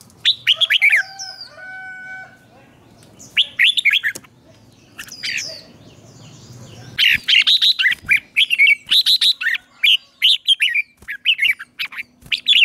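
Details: Red-whiskered bulbul (chào mào) morning song in the ché style, used for training: bursts of bright, bubbly whistled notes in quick runs, mixed with steady, level piping tones and quieter gaps.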